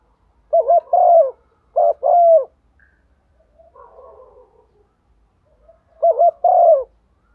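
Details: Morning calling of a female decoy spotted dove luring males: two phrases of low cooing, each a quick doubled note followed by a longer drawn coo, separated by a quiet pause with faint soft murmuring.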